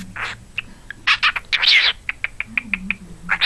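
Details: Pet cockatiel that talks, wolf whistles and barks like a dog, giving harsh, scratchy chirps and squawky bursts in an irregular rapid series. A person's low voice speaks softly in the background.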